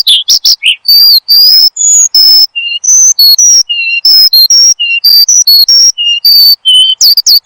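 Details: Oriental skylark, known as branjangan, singing as a tutor sound for cage birds: scattered pure whistled notes at varied pitches mixed with brief buzzy chirps.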